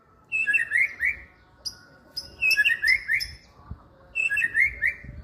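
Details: White-rumped shama singing three bursts of bright whistled phrases, each a quick run of rising and falling notes with thin high accents, separated by short pauses; a low steady hum runs underneath.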